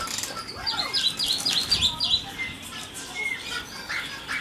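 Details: Superb starling (Lamprotornis superbus) in an aviary in Heemskerk, Holland, giving a quick run of sharp, high, down-up chirps, about four in a second, then scattered squeaky notes, with faint background chatter.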